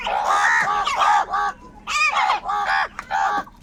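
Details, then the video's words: Crows calling loudly, a series of harsh, hoarse caws in quick bursts, each falling slightly at the end, with short gaps between; a steady low hum runs underneath. "Crow birds loudly crowing sounds - কাকের ডাক Crow Sound | Kaka sound and noises of crow birds"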